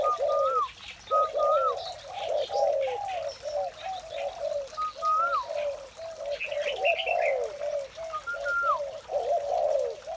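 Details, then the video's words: Spotted dove in the morning with dense overlapping low coos, joined by a separate bird's sharp rising-then-falling whistles every few seconds and occasional twittering. "tiếng chim cu gáy"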